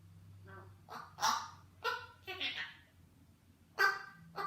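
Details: Pet eclectus parrot chattering a lot: a run of rough, honking, harmonic squawks in short bursts, some drawn out and some clipped, spaced irregularly over a few seconds in a quiet room with a low hum.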